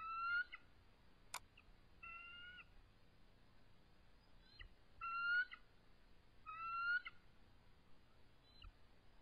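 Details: At the nest on a March 2014 evening, a stressed resident eagle pair calls in full defensive position during a territorial dispute. Rich whistled notes with bright harmonics come roughly every two seconds, with a sharp click in between.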